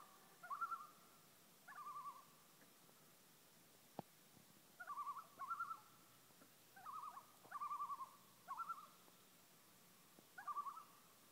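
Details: Repeated wavering tremolo calls from loons on Whitefish Lake, Wisconsin, with about eight short quavering bursts in quick succession and a single sharp click midway.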